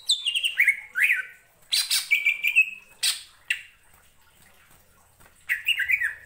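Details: Ngentrok song of a greater green leafbird, played to arouse other birds: descending whistled slurs and loud harsh bursts in clusters, a quiet gap, then a final jumble of warbled notes.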